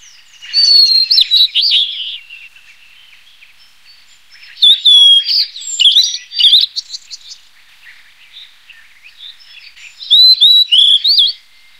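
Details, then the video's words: Blue-and-white flycatcher song in three bursts a few seconds apart, each a rich jumble of high whistled and slurred notes, some sweeping up and down, with silence between phrases. "白腹琉璃(白腹藍姬鶲)/Blue-and-white Flycatcher"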